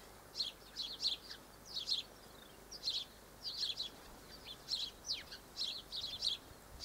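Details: Double-barred finches (Taeniopygia bichenovii) filmed on 1 December 2013, several small birds calling: high, thin nasal chirps in short clusters, repeated irregularly over a quiet background.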